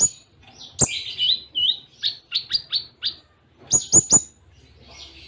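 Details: Kolibri ninja sunbird in a full-song training recording with Cililin imitations: high jumbled twitters and short sweeping notes in quick succession, a brief pause, then several sharp clicking ticks.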